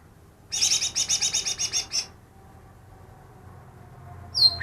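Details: Greater green leafbird, captured two days before, claimed to imitate ten other birds' songs; a fast, high, buzzy trill of about twelve pulses over one and a half seconds, a pause, then a sharp falling whistle.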